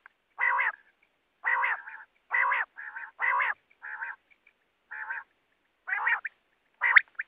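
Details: Harsh, grating quail calls repeat about once a second, each burst buzzy and nasal, some followed by a shorter softer rasp, with faint high ticks between.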